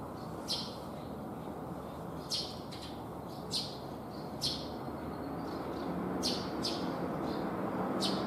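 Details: Asian house martins at a breeding colony, flying very high, give short, high, dry chirps, often in quick pairs, every second or so over a steady low rumble of wind or traffic; sparrows compete with them for nests.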